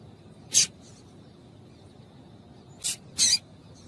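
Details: Female double-collared seedeater calling to excite males: three short, sharp, high chips, one alone and then a close pair about three seconds later, over a faint low background hiss.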